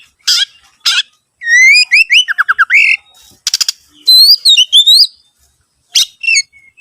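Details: Lure song of an Oriental magpie-robin for prompting other birds to sing. After a few rough buzzy notes comes a fast sequence of climbing whistles and falling slurs, then more rasps and wavering whistled phrases.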